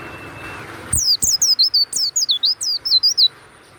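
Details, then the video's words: Warbling white-eye in captivity pours out a quick, loud phrase of about twelve high, bright, falling and twisting whistled notes, ending abruptly. "SUARA PLECI YANG MANTAP"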